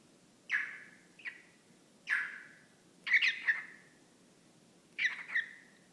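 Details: Caged-pet whiteface lutino male cockatiel chattering at a sock puppet; five raspy, voice-like syllable groups, some doubled, each trailing off in a fading whistle, with a quiet room background.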